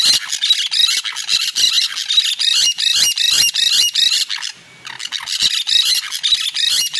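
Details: Noisy chorus of green parakeets, loud: rough, grating squawks tumble over each other in a steady, fast stream, briefly dropping to near quiet midway before the shrill screeching resumes just as thickly.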